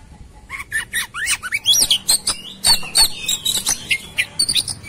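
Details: White-rumped shama, agitated and fighting with tail opened, delivering a fast jumble of sharp chips, squawky notes and looping whistles in rapid bursts, growing louder and denser through the phrase.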